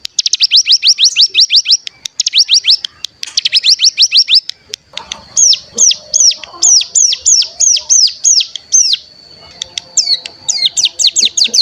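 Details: Bar-winged prinia lure call played to make captive birds sing and trill: quick bursts of sharp high falling chirps, then a slower series of separate hooked notes, ending with another rapid burst over a faint steady high tone.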